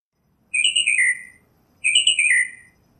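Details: Northern mockingbird (Mimus polyglottos) singing outdoors: two matching descending, warbled phrases about a second long, separated by a short pause, clear and loud over quiet background noise.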